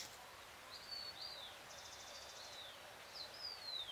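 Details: Great thrush song recorded at 6:26 PM on 13 June 2022 under a full moon: faint high whistled notes, a short buzzy trill in the middle and a long falling slur at the end, over steady low hiss.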